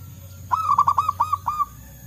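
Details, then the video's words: Forest-dwelling wild zebra dove answering others: a single rattling phrase of about nine quick, bouncy coo notes, even in pitch, over faint low rumble. "Suara Burung Perkutut Lokal Gacor"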